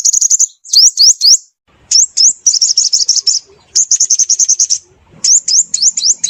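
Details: Sunbird call used as a trapping lure: dense high-pitched sequences mixing quick rising upslurs with short fast trills, in bursts separated by brief pauses.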